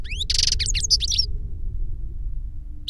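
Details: European goldfinch reclamo song, from a master bird or the novice it taught through a CD recording. One short burst of fast, high twitters and a buzzy note, then quiet with low hum.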